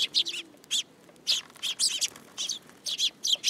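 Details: Sparrows perching on someone's hand at a Tenmangu shrine, 8 July 2022, give loud, high, slightly buzzy chirps, often paired, repeated about every quarter to half second in an uneven run.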